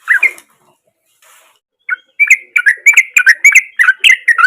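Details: Sooty-headed bulbul in full song, used as a lure to start a silent bird singing; a single warbled note, a quiet pause, then a fast continuous string of bright chattering whistles.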